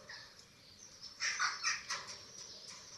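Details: Nest webcam in Germany, 27 March 2024, Eurasian eagle-owl feeding its chicks: after a quiet start, four or five loud rasping, hissy squeals in quick succession, then fading back to a low background hum.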